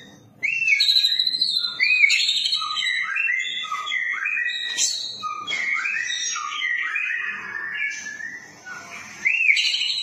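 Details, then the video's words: White-rumped shama in full song, used as a tutor recording: a rich, nonstop run of clear, varied whistles and fluty warbles, rising and falling, with brief buzzy notes between phrases. "Murai batu PASTOL langsung NYAUT"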